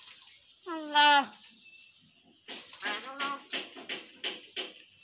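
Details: Talking hill myna, a pet bird said to be telling someone to pray. One loud drawn-out harmonic note, then a run of shorter voiced, speech-like syllables with clicks between them.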